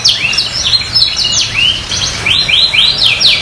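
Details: Canary song meant to prompt quiet canaries into singing: rapid high twittering trills with descending swept notes, repeated phrases packed tightly together, steady over a faint low hum.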